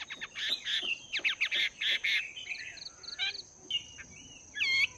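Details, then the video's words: Caged Chinese hwamei, a wild-caught bird two months in its cage, training its voice in the morning: a busy run of loud, rapid, buzzy and slurred whistled phrases, followed by softer scattered notes and a final rising flourish. "Chim Hoạ Mi Mộc VIP 2 Tháng Lồng Luyện Giọng"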